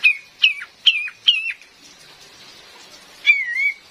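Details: Female cream-vented bulbul used as a trapping lure: four quick clear whistled notes, each with a sharp drop at its end, then a pause and one longer wavering whistle.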